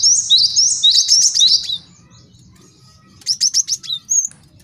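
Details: Male cinereous tit, master song for tutoring and lure trapping: a fast rolling run of downslurred high notes, a pause, then a brief series of sharp chirps.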